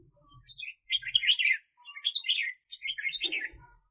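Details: Red-whiskered bulbul used as a decoy bird for trapping during the 2021 bird-catching season, giving three short, bright, warbled phrases, each about half a second to a second long, separated by brief pauses; faint low thumps underneath.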